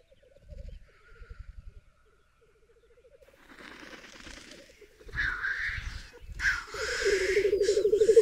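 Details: ['Black grouse at a lek in the middle of a vast raised bog in the Berezinsky Biosphere Reserve, females gathered near one displaying male; short bursts of low bubbling cooing, then loud harsh hissing sneezes and steady rolling bubbling.']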